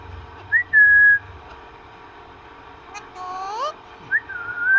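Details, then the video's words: Pet parrot at home, talking with its owner, gives clear rising whistles: one at the start, a voice-like phrase midway, and another rising whistle at the end, over low background rumble. "My cute parrot talking with me."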